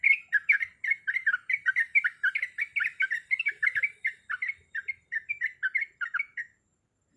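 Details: Sooty-headed bulbul, a female calling the male: rapid series of bright, chattering whistled notes repeated steadily for about six seconds, each note sliding up and down in a quick bubbly pattern, then stopping.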